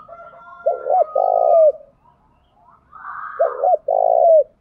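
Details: Morning calls of a decoy spotted dove meant to provoke wild males; two phrases, each a paired quick coo and a longer gravelly coo falling away, with a faint thin whistle in the background.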